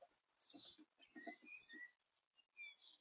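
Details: Blue tit feeding at a garden bird feeder gives thin, high chirps and a quick downward-sliding note, scattered unevenly over three seconds, with soft low tapping and rustling underneath.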